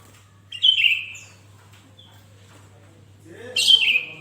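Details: Lively Sooty-headed bulbul singing, used as a lure to trigger song from other bulbuls: one chattering, descending whistled phrase, a quiet pause, then a harsher buzzy phrase sliding downward.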